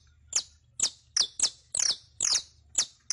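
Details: Saffron finch song played as a tutor recording for teaching a captive bird to sing: seven bright, sharp, high chirps, each a quick downward slur, spaced about every half second over a faint low hum.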